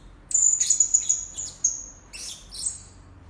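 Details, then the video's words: Lure recording of blue-crowned hanging parrot for attracting birds: a thin, rapidly repeated high whistled trill, followed by a couple of scratchy buzzy chirps. "Suara-Suara Denak Pemikat Burung Serindit Dada Merah"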